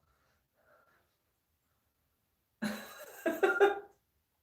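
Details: Mostly quiet room, then a short burst of human coughing and breathy throat noises; no animal sound.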